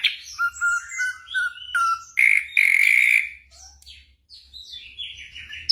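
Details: Night-time tutoring recording of black drongo song for caged birds: level whistled notes and downslurs, a loud harsh buzzy stretch of about one second, then scattered high slurred whistles and short chirps; low hum in background.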